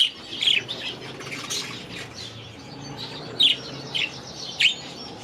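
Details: Young budgerigars, grown from last season's babies, in their new aviary: a few short, sharp high chirps, spaced about a second apart, over a soft steady background hum.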